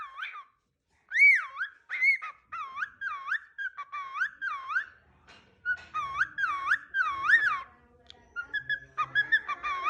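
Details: A cockatiel whistles a repeated singing tune of swooping, wavering notes, each about half a second long.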